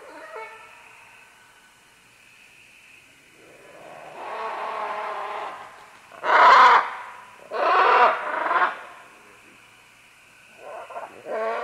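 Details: Several green-winged macaws calling as they descend along vines, medium-close: a low, harmonic-rich drawn-out squawk at the start, then louder harsh raucous squawks around the middle in two bursts, with further rough calls at the end.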